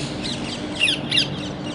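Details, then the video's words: Parrot giving two loud, harsh, rasping squawks in quick succession, following a softer squawk earlier, over a steady background hiss. "toty ki awaz | तोता | parrot voice"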